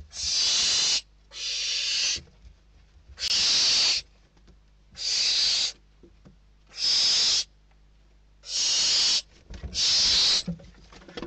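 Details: Barn owl chicks inside a nest box in Spain fighting over a delivered bird, the oldest chick winning; long harsh hissing screeches, seven bursts about a second each with short gaps, rasping and broadband.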